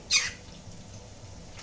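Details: A pet green-cheeked conure gives one short, harsh, high squawk, then falls silent against a faint indoor hum.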